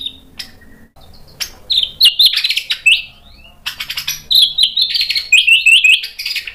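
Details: White-rumped shama singing as a lure to prompt other birds to answer: after a quiet start, bright high whistles and rapid rattling trills come in two energetic bursts with brief gaps, over a low background rumble.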